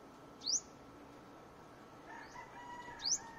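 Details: Luzon sunbird: two thin, very high chips, each sweeping sharply upward, about two and a half seconds apart, over a faint steady hum and a soft lower tone.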